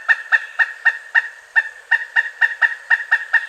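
A pileated woodpecker gives a loud, ringing series of about fourteen even 'wuk' notes, roughly four per second, with no drumming and little background noise.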